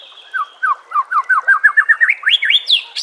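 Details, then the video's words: White-rumped shama master song for training, luring and motivating caged birds, set with nature sounds and trickling water: a quick run of about fourteen short whistled notes that speed up and climb from low to high pitch over three seconds. "murai batu anda dengar suara MASTERAN burung seperti ini"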